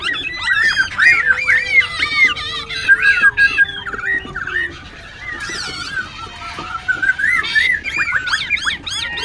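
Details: Wild-caught Black-throated Laughingthrush singing and dancing in a cage in Tan Tuc, Binh Chanh, Ho Chi Minh City. Dense, overlapping whistled loops and chattering notes rise and fall continuously against a faint low background tone.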